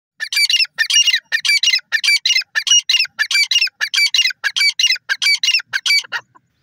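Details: Grey francolin, known locally as teetar, calling: loud, harsh, scratchy notes fired in rapid clusters, about ninety-five a minute for some six seconds, fading out with a short trailing note, with nothing else audible.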